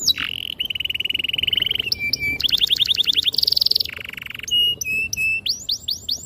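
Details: Canary with long, clear, sharp song, for teaching young canaries: a level whistled trill, buzzy rattling phrases at several pitches, then a few spaced rising swoops.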